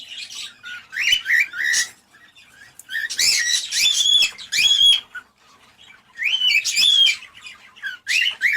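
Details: A cockatiel's mating-encouragement sound: clear, rising whistled phrases with slurred upward notes, given in bursts separated by short silences.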